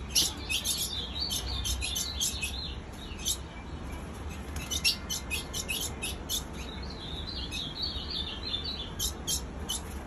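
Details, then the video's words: Continuous calling from a female ultramarine grosbeak: dense bursts of high chirps and short twittering notes, rapid and irregular, over a faint low hum. "Piado de fêmia de azulão sem parar"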